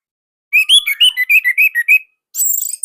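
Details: Orange-headed thrush from Indonesia singing a loud, tight song used to draw other thrushes into song; a rhythmic string of about nine bright whistled notes, then a very high thin twittering trill.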